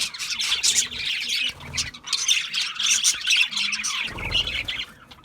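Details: Budgerigar flock chatter, harsh high squawks and warbling chirps crowding together, then fading to quieter calls in the last second.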